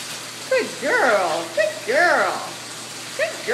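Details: A female lilac-crowned amazon indoors says "give me a shower" in a few speech-like syllables, each arching up and down in pitch, in two or three short bursts.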